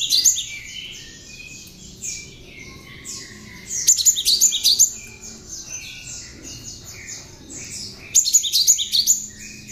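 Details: Hand-raised tame cinereous tit with mimicked ciblek (prinia) song, kept as a lure and master for birds: three bursts of rapid piercing high notes at the start, near 4 seconds and near 8 seconds, high chatter throughout.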